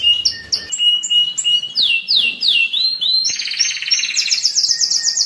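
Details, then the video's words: Canary song meant to stimulate breeding and teach young birds: varied whistled notes, downward sweeps and rising slides, then a rapid buzzy trill climbing higher at the end. "تغريد الكناري للتسميع في مرحلة القلش و الراحة"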